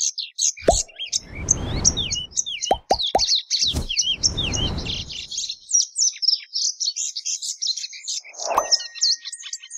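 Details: Plumbeous seedeater keeping up a steady stream of high chirps and whistled slurs while loud thumps, clicks and rustling knocks break in repeatedly.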